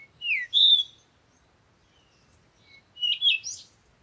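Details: A bird gives a clear downslurred whistle and a brighter sustained note, then a pause, followed by a brief twittering cluster of chirps.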